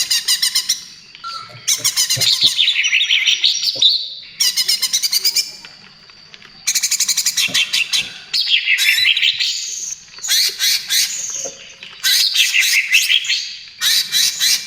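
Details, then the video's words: Greater green leafbird (cucak ijo) in energetic gacor song, a lure for other birds: bursts of fast rattling trills and chatter about every two seconds, separated by swooping whistled phrases and short pauses. "SUARA CUCAK IJO TROTOL GACOR, AMPUH UNTUK PANCINGAN DAN TERAPI"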